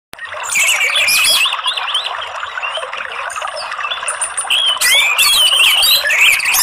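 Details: Orange-headed thrush song used as therapy and a lure to coax a seldom-singing bird from mere chattering (ngeriwik) into full song (ngeplong): loud, rapid warbled whistles that twist up and down over dense chattering, with bright bursts near the end.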